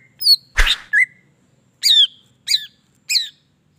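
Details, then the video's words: Greater green leafbird song used as bait to stimulate other leafbirds: a harsh burst, then separate bright notes, a rising chirp followed by sharp downslurred whistled notes spaced about half a second apart. "PENDONGKRAK EMOSI CUCAK IJO JADI GACOR"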